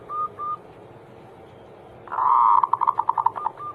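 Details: Perkutut or zebra dove Anggungan song, played to prompt reluctant doves to sing: two short soft coos, a silence, then a strong rolling phrase that breaks into quick pulsed notes, ending in one more short coo.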